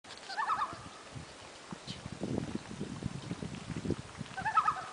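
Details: Common loons, a family on a lake about 150 km north of La Ronge, Saskatchewan, Canada, in August; two short tremolo-like calls, one at the start and one near the end, over low rumbling background noise.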